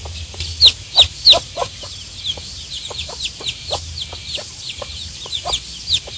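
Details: One-day-old chicks peeping: short, high, downward-sliding cheeps in quick irregular series, a few louder ones standing out near the start and end, over a low steady background hum.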